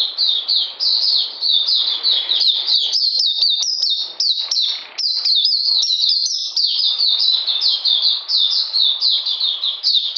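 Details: In cold rainy weather, 13 June 2020, an Oriental magpie-robin pours out a steady, unbroken stream of high, slurred chirping notes, each phrase dropping in pitch and repeated several times a second.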